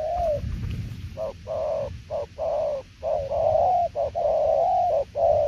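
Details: Spotted dove cooing in the 'đồng tiểu liên nước' style: low hollow coos in quick broken runs, short notes followed by longer held ones, with brief gaps and a soft rumbling background.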